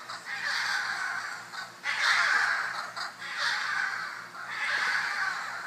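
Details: Fourteen scarlet macaws squabbling over a prime perch in a backyard near Tarcoles, Costa Rica, giving loud, raspy, drawn-out screeches in near-continuous overlapping bursts, roughly every second or so.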